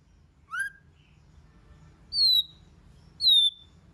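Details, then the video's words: Singing White-rumped shama, used to rouse other shamas: three separate clear whistles, one low and rising, then two high ones sliding down, with long quiet gaps between. "Kích Chòe LửA HóT,chòe lửa hót nhiều giọng"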